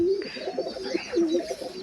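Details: Loft pigeons coo in low, rolling, rising-and-falling phrases. The phrases repeat twice in under two seconds, with a faint whine behind them.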